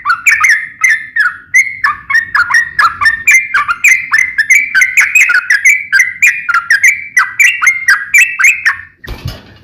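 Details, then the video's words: Sooty-headed bulbul (trucukan) song, described as lively and full of varied phrases: a long run of bright, bubbly whistled notes around the same pitch, each dipping and rising, delivered rapidly in a steady stream before a short burst of noise at the end. "KICAU SUARA trucukan gacor NEMBAK ROPEL NGEPLONG"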